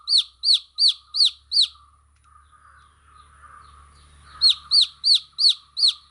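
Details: Baby chicks give quick runs of high, arched peeps at the start and end, separated by a quieter stretch of about three seconds with a low rumble and faint murmur.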